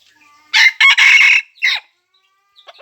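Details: Red junglefowl recorded on 3 March 2020: a loud, raspy, clipped crow in three bursts, with a short trailing note, then a few faint high chirps at the end.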